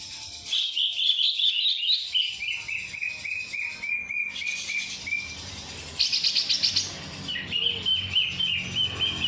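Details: Isian kapas tembak singing by a greater green leafbird: rapid chattering notes descending in a steady series, a rough buzzy outburst midway, then a sustained high whistled passage.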